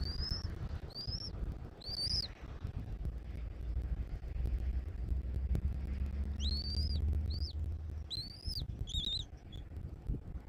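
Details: Bald eagle at its nest in Southwest Florida on April 1, 2024, late morning; thin, high chirping notes with arched, slightly falling shapes, given in short bursts at the start and again after six seconds, over steady low rumbling wind.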